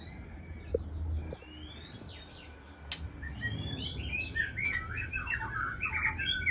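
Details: Aceh white-rumped shama breeding-stock bird giving scattered whistled and chirping notes. The notes become busier and more warbled in the second half, over a steady low hum and occasional sharp clicks.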